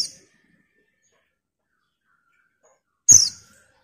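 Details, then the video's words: Female white-eye calling a male: one crisp, high, falling chirp near the end, preceded by a long quiet gap and the tail of an earlier note. "TERIAKAN PLECI BETINA MEMANGGIL JANTAN"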